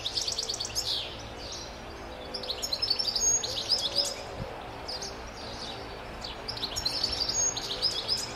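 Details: A wild European goldfinch in NSW sings bright, liquid twittering bursts, high and quick, separated by short pauses, over a low steady hum.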